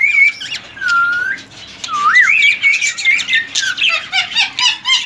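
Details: Three-year-old male ring-necked parakeet, healthy, semi hand-tamed: clear whistled notes, some steady and some wavering up and down, giving way to a string of short squawky chirps.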